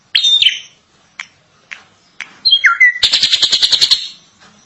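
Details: A drongo singing at length: two sliding whistled notes, a few sharp clicks, a falling whistle, then a rapid run of harsh, buzzy, evenly repeated notes.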